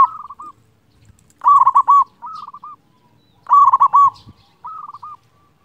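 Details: Zebra dove, a local loud-voiced bird, master song meant to rouse quiet doves and raise their mood; rapid bubbling coo bursts alternating with softer trilled phrases, about four phrases in under six seconds.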